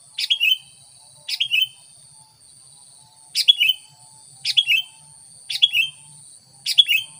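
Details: Sooty-headed bulbul song used as a lure for wild bulbuls, short cheerful phrases of quick chirping, falling notes repeated roughly once a second, six phrases in all, with a thin constant high whine underneath.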